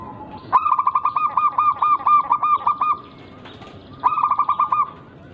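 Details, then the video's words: Local zebra dove song with an unusual rhythm, meant to make rival doves respond. A burst of about twelve rapid, rolling coos is followed by a pause and a shorter run of around five. "Burung Perkutut Lokal berirama Unik Langka gacor"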